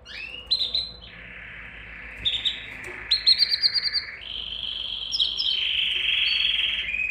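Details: Canary song to excite mates for breeding: high rolling trills and a quick series of pulsed notes, ending in a long even buzzing trill, over steady low background hiss.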